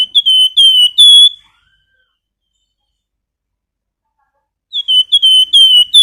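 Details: Flamboyan bird whistling nyiul song, recorded for training caged birds: a fast burst of repeated clear whistles, then about three seconds of silence, then another similar burst.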